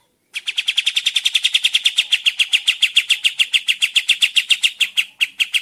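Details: Lure song of the sooty-headed bulbul, used to provoke birds into answering: one unbroken, steady volley of sharp, buzzy chips at roughly three to four per second, lasting over five seconds.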